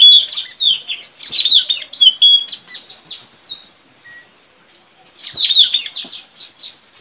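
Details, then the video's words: Wild white-rumped shama recorded in forest while being tracked for trapping, pouring out a long rapid run of high, falling chirps and whistles, a short silence, then another brisk burst of similar notes. "Suara Mp3 puling//Tajaling//tanau"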